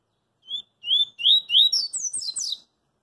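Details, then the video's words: Double-collared seedeater in the street delivering its coringa song: brief opening whistle, three swelling rising whistles, then a hurried series of thin, high, looping notes, faint low background noise throughout. "CoLEiro CoringA cantando na Rua"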